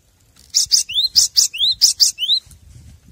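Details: Cinereous tit song on a master recording for training caged birds: three phrases of coarse, noisy paired notes followed by rising whistles, delivered briskly, then faint low rumbling.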